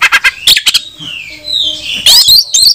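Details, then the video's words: Kacer, the oriental magpie-robin, singing a challenge that calls a rival to fight and spurs other males to spread their tails: rapid harsh chattering bursts, a long gliding descending whistle, then loud twisting high whistled phrases. "PANCINGAN KACER BUKA EKOR || Gak Sampai 5 Menit KACER LANGSUNG ON Bongkar isian"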